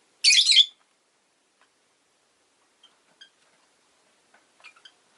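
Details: Rosy-faced lovebird giving a single harsh, shrill chirp in the first second, followed by faint scattered clicks and near silence; the recording was made where town noise from cars, motorbikes and bicycles can also be picked up.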